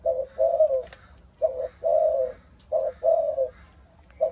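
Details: Spotted dove from Malaysia, a caged bird kept as a cooing pet, giving low mellow coos in repeated phrases: a short note then a longer drawn-out coo, the pattern recurring about every 1.3 seconds, with faint room noise.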